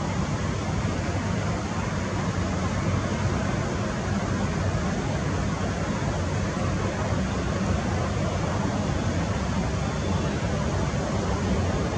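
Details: A steady, broadband rumble like engine or air-conditioning noise fills the whole stretch, with no animal calls standing out.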